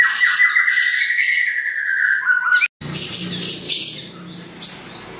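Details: Energetic song of siri-siri besar, used to train songbirds: a long, slightly falling whistled line beneath rapid high chirps, a brief break, then jumbled bright twitters.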